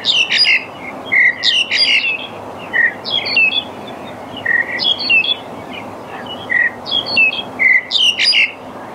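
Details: Black-collared starling repeating short bursts of harsh, crackling chatter with squeaky accents, about one burst each second for nine seconds, with faint background hum.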